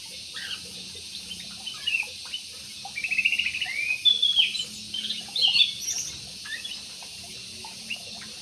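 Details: In an aviary, a jumbo parakeet chatters in a busy scratchy warble of mixed chirps and squeaks, loudest in the middle, quieter single notes before and after.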